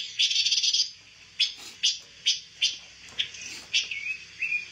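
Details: A pancawarna bird, used to tutor white-rumped shamas, starts with a fast buzzing trill, then gives evenly spaced sharp chirps and two short rising whistles at the end.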